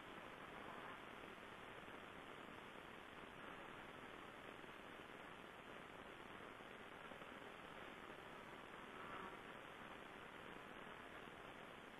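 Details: Only a steady hiss of broadband noise, like rain or static, fills the recording, with no animal calls heard.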